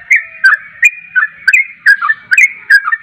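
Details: Trucuk, the yellow-vented bulbul, in lively song: bright, slurred whistled notes, each opening with a click, tumbling downward at a brisk, irregular pace of about three per second.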